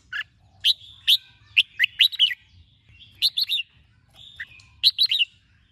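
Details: Red-whiskered bulbul giving morning song used to train and stimulate other birds to sing. Short bursts of two to five bright, quick whistled notes, each phrase a second or so apart. A faint low hum runs underneath.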